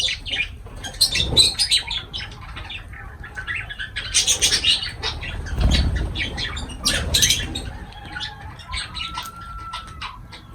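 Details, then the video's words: Lovebirds during feeding call with bursts of piercing, raspy chirps separated by short pauses, with low thuds of movement and a faint whine near the end. "Love birds voice sound"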